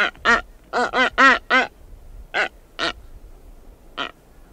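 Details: Close-up honking calls from a female Blue-footed booby as she walks around her nest site. About ten coarse, nasal, harmonic honks come in a quick burst of six, then three spaced single calls.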